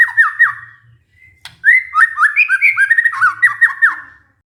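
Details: Lure song of a white-rumped shama for a stressed captive bird that has stopped singing; a few down-slurred whistles, a pause, then a lively phrase of whistled notes jumping up and down.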